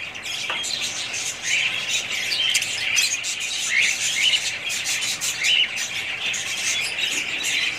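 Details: Budgies in a group chatter continuously, with rasping squawks and short clear whistled chirps scattered through a dense high twitter.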